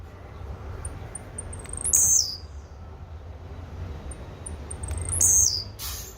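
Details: Blue-black grassquit repeating its short song roughly every three seconds, thin ticks leading to a loud, shrill buzzy burst. Steady low hum in the background, plus a brief noisy burst at the end.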